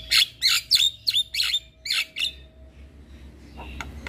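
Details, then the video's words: Javan myna (jalak kebo) in song, giving a fast series of harsh, scratchy squawked notes with whistled overtones, roughly three per second, trailing off into low background hum and a few faint clicks. "JAlak kebo GAcor Full Isian Masteran Jalak Kebo"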